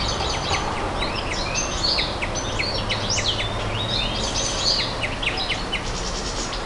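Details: Nightingale in song, delivering dense bursts of high, rapid chirps and trills, with a few clear whistled notes rising above a steady background hiss.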